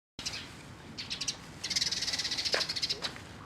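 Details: Eurasian tree sparrow recorded on 4 February 2012: scattered short chirps early on, then a fast run of bright, high chirps repeated several times per second, and a final sharp note.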